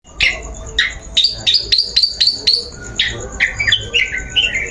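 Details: Long-tailed shrike lure song, used to coax a bird into singing: a quick series of loud, sweeping whistled notes, several rising then falling, delivered in bursts of about two per second over a steady high thin tone.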